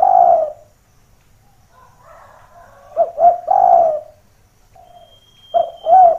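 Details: Spotted dove calling for use as a decoy that brings nearby doves down searching for the rival: a long mellow coo, a quiet gap, then stuttered coo phrases, with a faint high thin whistle behind.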